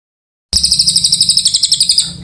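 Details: Oriental white-eye (cililin) starting abruptly into a fast, steady series of piercing high twittering notes, around eight per second, fading slightly at the end.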